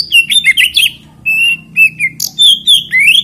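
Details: Oriental magpie-robin song used to spur other magpie-robins into singing: a rapid run of varied whistles, then long level whistled notes and a final rising sweep, over a steady low hum.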